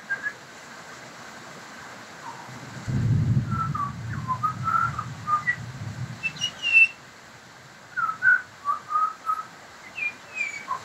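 Pied butcherbird singing rich, fluted whistles in short phrases around two seconds apart. A low rumble, perhaps a passing vehicle, runs underneath for a few seconds.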